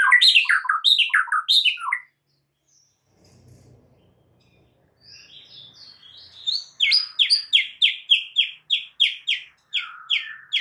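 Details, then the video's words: White-rumped shama master song used to excite caged shamas into singing; a quick tumbling phrase, a quiet pause, then a steady series of sharp, evenly spaced chirping notes, about three per second, in a clean recording. "murai batu AKAN EMOSI dan IKUT GACOR dengan MASTERAN murai batu ini"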